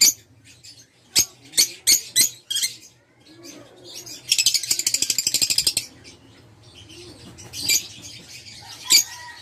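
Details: Caged Fischer's lovebird of the violet parblue colour: a run of loud, sharp, shrill chirps, then a rapid rattling string of clicks and scattered squeaky notes, over constant high twittering chatter and a low hum.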